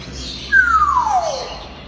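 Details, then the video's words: A single long whistle from a playful talking grey parrot kept as a pet, sliding smoothly downward from high to low over about a second, with faint room hum behind. "ببغاء كاسكو لعوب ناطق"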